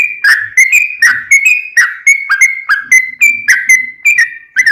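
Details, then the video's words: Sooty-headed bulbul song used as a lure to make other bulbuls sing back: bright whistled notes around two kilohertz with sharp onsets, repeated roughly every third of a second in a lively continuous run. "trucukan gacor ROPEL PANJANG buat pancingan trucukan agar bunyi JADIKAN burung trucuk gacor NYAUT"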